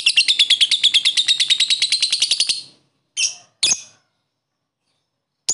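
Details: Lovebird song used to encourage lethargic lovebirds to sing: a fast, steady train of about twenty-five shrill clicking chirps over two and a half seconds, followed by two separate squeaky calls.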